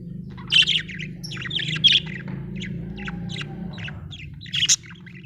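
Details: Budgie producing short sharp chirps and buzzy twitters spaced over a noticeable low rumbling background, with a thin whistled tone in the middle.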